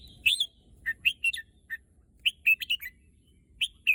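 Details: Red-whiskered bulbul, a kept bird said to be eager to go to the contest field, singing short, bright whistled phrases of three to four quick notes separated by brief pauses.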